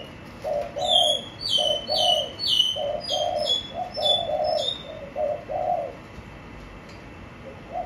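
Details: Caged spotted dove giving low, soft coos in quick succession while another bird calls a rapid series of high, thin, downslurred chirps overhead; the cooing stops near the end.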